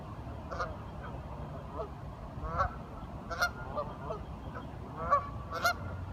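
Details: Curious ducks talk softly, with scattered nasal quacks that grow in loudness toward the end over low rumbling background noise.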